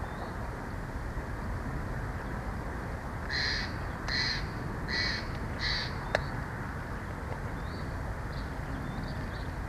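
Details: Bald eagle pair at Big Bear Valley on a May 25, 2024 evening, bringing sticks to the nest and snuggling in the roost tree; four thin, high, squeaky notes in quick succession over a steady low rumble of wind.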